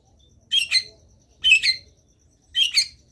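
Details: Long-tailed shrike singing actively, giving three harsh, buzzy double notes spaced about a second apart.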